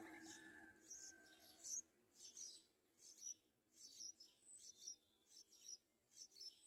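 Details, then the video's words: Baby yellow-vented bulbul waiting for its mother to feed it, giving thin, high chirps repeated steadily a little over once a second, with soft background hum. "Yellow vented bulbul A baby bird wonders why its mother doesn't feed it some food"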